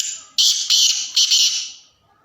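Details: Black francolin, called Sindhi kala tetar: a loud, harsh, grating call in three rasping bursts, the first longest, then two short notes, followed by a fading tail and quiet background.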